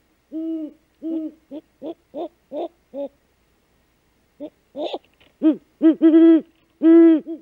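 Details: Female great horned owl at the nest at 5:41 am, 3 March 2018, calling for food as the male hunts nearby; a series of deep, hollow hoots, steady at first, then a pause, then louder, closer-spaced hoots with one brief harsher note.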